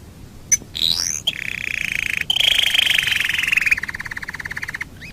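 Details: Training master of a canary's song: a single sharp note, a rising whistle, then a long loud rolling trill that drifts down and ends in a drier, rapidly pulsed rattle.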